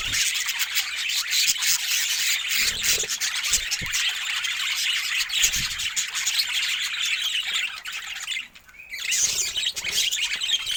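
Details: Budgerigar flock keeps up steady, shrill chirping and warbling chatter, with many overlapping squeaks. A short dip into near quiet comes just before the chatter resumes, and a few low thumps are heard.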